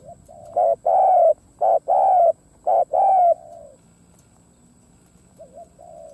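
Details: A spotted dove, a decoy bird used to lure others, gives soft, low, hollow coos in short phrases of two or three notes, the last drawn out, then a quieter coo follows.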